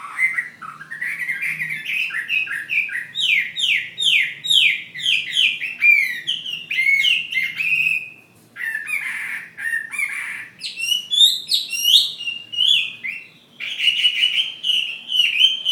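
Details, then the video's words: Chinese hwamei, a fighting bird from Ha Giang, Vietnam, in a long, varied performance: a steady stream of loud whistles, fast rising slurs, brief gaps, then bursts of sharp trills and sustained whistled notes. "Họa mi chiến Hà Giang"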